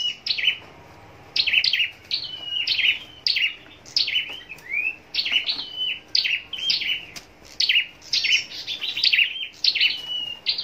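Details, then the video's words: Contest-kept scarlet-backed flowerpecker in a cage in Long Thành, Vietnam, singing a long run of rapid, sharp, high-pitched chips and descending twitters, nearly continuous with short breaks. "Chim Sâu Đầu Đỏ Hót Đấu"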